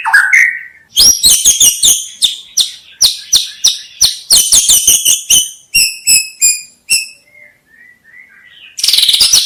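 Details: White-rumped shama (murai batu) song, offered as a lure for bird trapping: a short rising whistle, then a fast series of sharp, clicky, high-pitched notes, bright chirps and a few thin whistles, ending in a harsh rattling burst.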